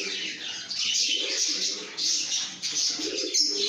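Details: Lovebirds in a happy mood singing and chirping: shrill, overlapping squeaky chirps in surging waves, with recurring lower warbling tones and a sharper burst near the end.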